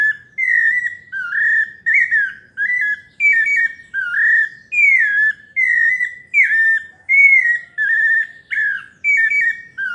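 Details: Pale-breasted thrush, sabiá parda paulista, singing melodiously: bright whistled notes in quick succession, alternating rising and falling slurs with occasional warbled phrases, about one phrase every three quarters of a second, little other sound.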